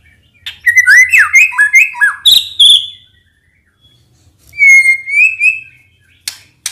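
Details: White-rumped shama singing as a lure for other birds: a quick series of varied looping whistles and harsh bursts, a pause, then a clear rising whistle with wavering notes and sharp clicks.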